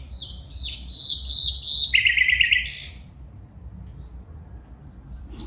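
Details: A female bulbul gives a run of bright, repeated, slightly falling notes, then a loud harsh rattle and a quick high flourish. Quieter scattered high chips follow.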